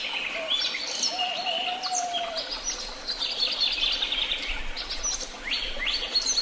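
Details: Birdsong from many singers overlaps in Tehidy Woods: busy high-pitched chirps, rising whistles and quick trills, plus one drawn-out low whistled note early on and a faint low rumble beneath.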